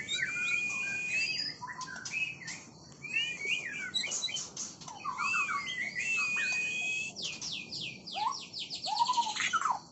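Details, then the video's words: Balak sabang oriental magpie-robin in full varied song: rich whistled phrases, rising and falling slurs, sharp chips and buzzy bursts, delivered almost without pause. "Balak sabang"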